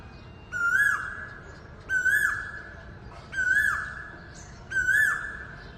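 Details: Asian koel perched on a wire outside a window at dawn, calling loudly: four rising, ringing notes about every one and a half seconds, each with a brief dropping end, and light high-pitched chirping behind.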